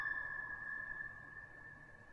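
A common loon gives a long, steady, mournful tone, held level and slowly fading over two seconds; no other sounds stand out.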